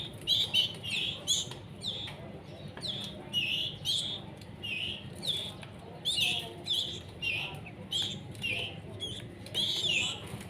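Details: Canary fledglings being hand-fed at a breeding farm, not yet independent, repeat scratchy high begging notes roughly every half second over ten seconds, mixed with clicks and brief wing-flutter sounds and a low background hum.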